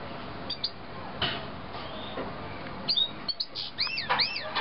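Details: Young canaries of the 2009 brood: faint scattered chirps at first, then a burst of loud, ringing, arched calls in quick succession near the end, against constant background hiss.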